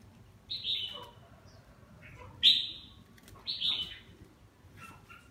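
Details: A red-whiskered bulbul with 'má lỡ' cheeks and a 'mào lân' crest sings during its bath: three whistled, slightly falling phrases about a second apart, followed by softer short chirps, against light background noise.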